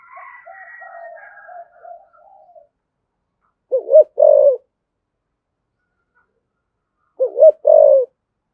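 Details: Spotted dove in 'thổ' voice giving 'thúc gù' urging coos, used to provoke other doves: after a faint, scratchy opening, two low coo pairs about three seconds apart, each a short hooked note then a longer steady one.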